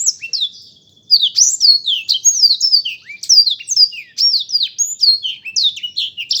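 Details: Black-throated canary song opening with a soft fading note, then after a one-second pause bursting into fast, varied whistled slurs that sweep downward, repeated in lively bursts.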